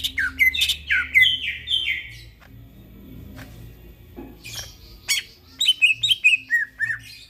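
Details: Greater green leafbird in the middle of the night, singing gacor: a fast flurry of sharp whistled notes, a quiet pause broken by clicks, then rasping bursts and bright downslurred whistles in quick succession, with a low hum.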